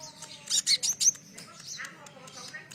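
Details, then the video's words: Sunbird performing cililin-like song to rouse captive birds: four loud, sharp high chirps in quick succession, then softer scattered twittering and faint hum. "100% nyaut pancingan masteran burung konin isian cililin"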